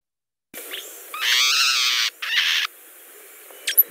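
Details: Hutton's vireo in winter on the Mendocino coast gives its harsh, nasal, raspy sneer, one long snarl then a shorter one, like a cat snarling; the background is quiet.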